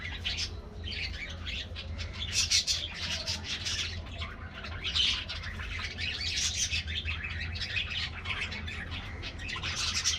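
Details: Morning in a budgie aviary at treat time: many colorful budgerigars chirp and warble together in dense, bright, rapid bursts that barely pause, over a faint low hum.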